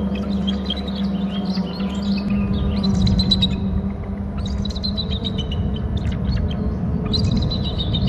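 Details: Bald eagle at its nest territory on Hornby Island, filmed by a nest cam, flying in from the left and calling: bursts of high, thin chittering notes with falling slurs, repeated in several series over a steady low rumble.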